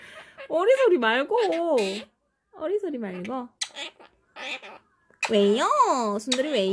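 A Quaker parrot talks and sings in wavering, voice-like phrases that mimic human speech and melody.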